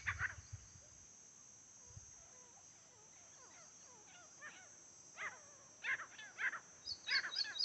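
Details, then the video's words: Wild grey francolin, known locally as titar, in a fight, recorded during hunting; sharp, strident notes come in quick clusters after a quieter stretch of faint, wavering calls, and low thumps are heard near the start. "Jungli titar ki ladai"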